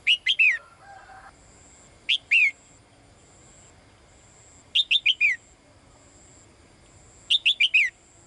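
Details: Calling to a male, a caged female bird gives clusters of two to four high downslurred chirps every two to three seconds, with a faint steady high tone behind.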